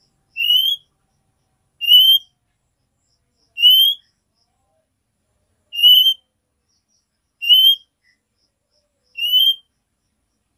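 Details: A female oriental magpie-robin calls the male with the nyiul note, a short upward-sliding whistle rich in overtones. Six evenly spaced repeats come about every one and a half to two seconds against a silent background.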